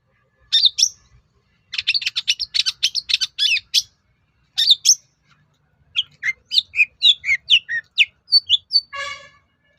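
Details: Varied long-tailed shrike song played to make other shrikes respond: rapid bursts of high chattering chirps, then a looser series of twittering and slurred notes, ending in a short nasal buzzy note.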